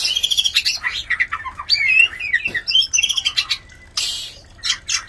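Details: Mating call of white-rumped shama, said to arouse other shamas to breed: varied whistled notes mixed with harsh scratchy squawks and clicks, loud and busy throughout.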